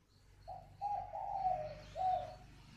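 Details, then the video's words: Clear spotted dove calling coo: a short low note, a long mellow wavering note and a final short coo, all in one steady phrase over a soft low hum. "Gáy gọi Hậu 1"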